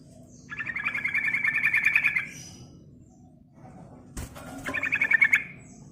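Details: Yellow-vented bulbul, lively "ngerol" and "ngeriwik" singing used as a lure to stimulate other birds: two bursts of rapid, bubbly chattering notes, the first about two seconds long, separated by a pause with a sharp click.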